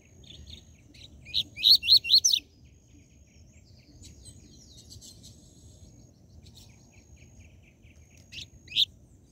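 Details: Seedeater song of the tui tui zel zel type, played to excite captive birds: four loud, quick, rising buzzy notes in a tight cluster, then quiet scattered chips and one last loud note near the end.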